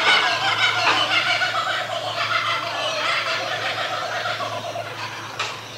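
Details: Laughing kookaburras give their morning call, cackling loudly and steadily throughout in a rapid, rollicking chorus of harsh hoots and chuckles with no pause between phrases.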